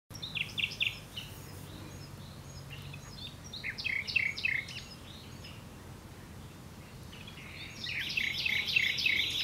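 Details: Common nightingale singing: separate bursts of high, buzzy and chirping notes with pauses, ending in a louder run of fast repeated rasping notes, over a steady low rumble.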